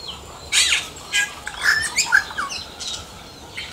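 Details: Yellow-rumped cacique (Cacicus cela) singing in the wild: a jumbled run of harsh squawks, clicks and short liquid gurgling notes, about five bursts in under four seconds.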